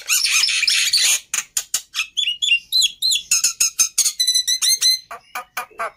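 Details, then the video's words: Black-winged myna, known as jalak putih, in a varied song: a long grating rasp, then rapid clicks, descending whistled slurs and repeated harsh notes about four per second. "Suara Burung Jalak Putih Istimewa"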